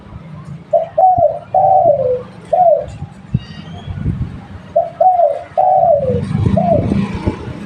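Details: Local spotted dove kept as a lure bird, giving two phrases of soft cooing, each with a short opening coo followed by longer, slurred, downward-sliding coos, over a steady low rumble of background noise.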